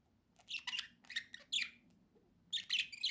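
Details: Pet budgerigar singing indoors: bursts of chattering, scratchy warbling notes in two groups separated by a short pause, with clicks and chirps between.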